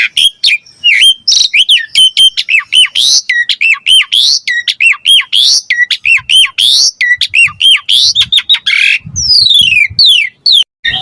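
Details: Asian pied starling in full gacor song with rich variation, used to prompt other birds to sing: fast run of hooked whistles and squeaks, ending in a series of descending slurred whistles.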